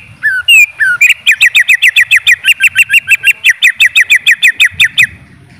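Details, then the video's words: Greater green leafbird song: a few sweeping, slurred whistles, then a fast, steady run of about twenty sharp, clipped notes at roughly five per second, bright and high, with faint low rumble underneath. "Suara Burung Cucak ijo"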